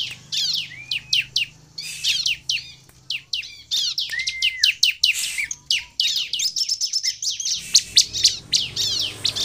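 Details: Sunda bush warbler (ciblek) in full song, used to lure other birds into singing: rapid bright chirps and downward-sweeping trills, with a sustained whistled note midway and dense repeated phrases near the end.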